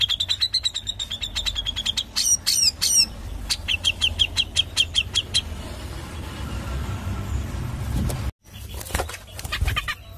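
A Grey-cheeked Bulbul gives sharp, high "pik" notes in tight, fast-repeated bursts, with some clicking and rustling between the series.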